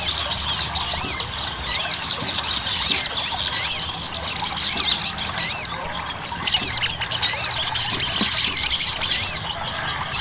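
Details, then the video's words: Ruby-cheeked sunbird lure meant to make birds sing actively: a long, unbroken chorus of shrill twitters and wavy high whistles, getting slightly louder toward the end. "PANCINGAN SOGON AGAR CEPAT GACOR"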